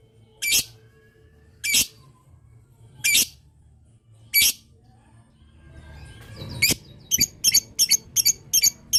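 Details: Lovebird in 'ngetik panjang' long chatter, used to prompt other lovebirds to reply: four harsh, broadband squawks spaced over a second apart, then a fast run of six clipped chirps near the end, with faint background hum.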